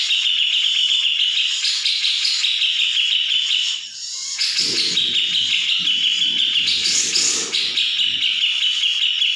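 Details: Grey-cheeked bulbul training song meant to make other birds answer: an unbroken stream of busy, overlapping chattering and warbled notes, briefly dipping near the middle, with soft low rumbling noise mixed in for a few seconds.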